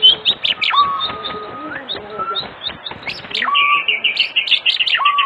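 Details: Evening lure song of an oriental magpie-robin, meant to trigger singing in other magpie-robins: sharp high chirps over sustained flat whistles, ending in a rapid run of bright notes.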